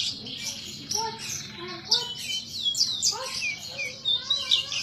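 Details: {'0': "Horsfield's bush lark, a caged bird singing vigorously in gacor style: varied whistled notes, some lower and slurred downward, interwoven with high chirps and twittering, a rich mimic-like medley."}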